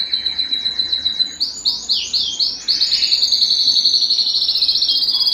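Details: Canary singing to excite females and stimulate mating, a training song: rapid repeated notes at first, then swooping slurred phrases, then a long steady high rolling trill.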